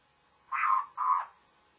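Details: Babbler in the morning uttering a double, grating call, the two rough notes run closely together, over a calm background.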